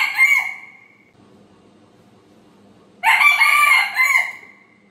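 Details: Morning crow of a rooster, the tail of one harsh cock-a-doodle-doo fading out, then a full second crow, loud and raspy with a wavering middle and dropping end.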